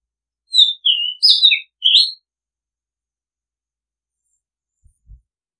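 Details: Oriental magpie-robin singing a clean phrase of clear whistled notes, some sliding down and some rising, run together over about two seconds, then silence with a faint low thump.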